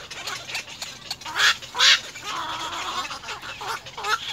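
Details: Nestling little egrets begging parents for food, giving hoarse nasal squawks and croaking calls, two loud harsh bursts standing out amid a continuous rough chatter.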